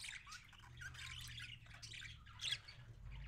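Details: Parakeet feeding another parakeet, giving raspy, scratchy begging chatter in rapid bursts, with a sharper squeak near the end and a low hum underneath.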